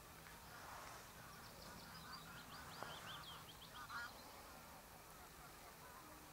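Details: Common gulls at the Horsmeertjes on Texel give a quick run of high, nasal mewing notes, somewhat faint over a steady hiss of wind and distant background noise.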